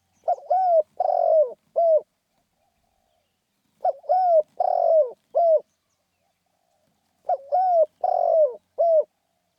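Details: Spotted dove repeating its rousing 'khan yon' coo. Three identical low phrases come roughly every three and a half seconds. Each is four-part: short note, smooth coo, buzzy coo, quick final coo.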